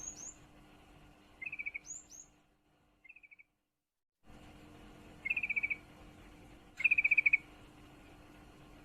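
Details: Hen yellow-vented bulbul in breeding condition calling a male: several brief staccato rattles of five to seven notes, with upward-sweeping whistled chirps from another bird at the start and a sudden silent gap.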